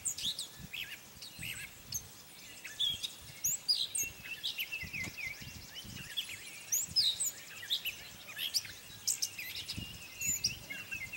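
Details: Gray catbird singing at Morgans Point on May 22, 2020. It gives a long, jumbled run of varied squeaky, chirping and mewing high notes with irregular pauses, over steady low rumbling background noise.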